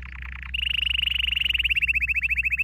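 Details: Canary training song: a few low, dipping notes, then a long, bright trill of repeated chirps at one steady pitch, slowly loosening in rhythm, with a low hum in the background.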